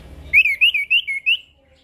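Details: Chestnut-capped thrush singing as a lure for silent birds: a fluid run of five or six clear, slurred whistles, each rising and falling, delivered evenly within about a second.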